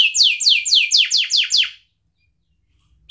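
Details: Domestic canary singing a long, energetic 'cuit cuit' trill used as a lure to teach young canaries to sing: a rapid series of about eight bright downward-sweeping high notes, roughly four per second, then silence.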